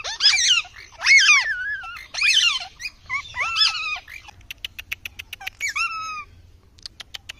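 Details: Indian ringneck parrot giving several loud, harsh, arched squawks, followed by a run of sharp clicking taps and a few shorter screeches near the end.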